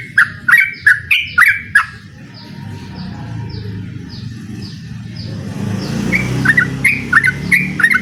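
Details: Yellow-vented bulbul (trucukan) challenging a rival with ropel song: a burst of bubbly whistles, then a gap filled by thin descending notes from another bird and traffic-like rumble, before the bulbul's warbles return.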